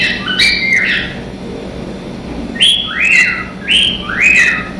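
A cockatiel sings a string of bright, whistled notes that swoop up and then down.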